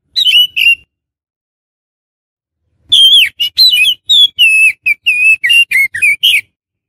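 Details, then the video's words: Oriental magpie-robin (kacer) sounds meant for luring wild birds: two brief whistles, a long silence, then a rapid run of varied whistled and slurred notes, each sharply separated, rising and falling. "SUARA PIKAT BURUNG KACER"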